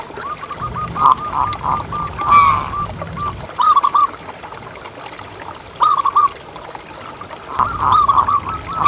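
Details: Local zebra dove calling, a recording played to prompt other doves to call. Soft rapid cooing notes come in short rolling strings, separated by pauses, over low background hum.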